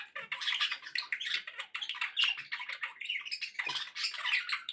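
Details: Happy pet budgies chattering: a continuous stream of dense warbling, clicks and scratchy chirps, with several birds overlapping throughout.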